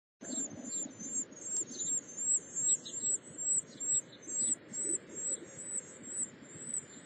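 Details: Carolina wren nestlings beg for food during an early-morning feeding, in a thin, high, hissing chatter that pulses about twice a second without a break, over soft low rustling.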